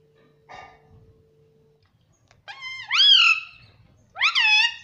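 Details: Pet parrot inside a room saying mummy: after a faint tap and quiet pause, two loud, nasal, harmonic words, each rising sharply then wavering level, separated by about a second.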